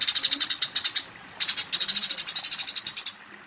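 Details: Eurasian tree sparrow in combat, calling a rival with two long runs of rapid, piercing high chirps split by a short pause.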